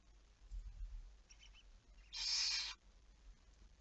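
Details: A single harsh, hissing screech from a barn owl in the night of 11 May 2019, about half a second long, preceded by a faint, softer call and low rumble.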